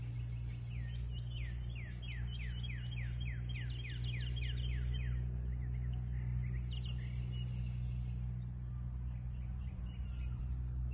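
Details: Black-bellied whistling ducks in Louisiana: rapid series of thin, whistled, downward-sliding notes, several overlapping, through the first four and a half seconds, then a few fainter notes near five seconds, over a steady loud low rumble like an engine.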